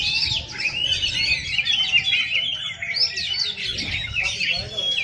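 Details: Shrike at a bird singing contest, giving a dense run of scratchy, chattering phrases with whistled notes and quick rising and falling slurs, continuous throughout, with a low rumble of background noise beneath.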